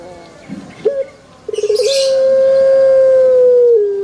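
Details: A male Barbary dove gives a few short stuttering pulses, then one long, smooth, steady coo lasting over two seconds that drops slightly at the close. A brief scratchy noise is heard in the middle.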